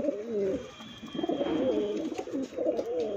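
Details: Pigeons kept for sale coo in short, wavering, throaty phrases, several birds overlapping, with a faint steady tone in the background.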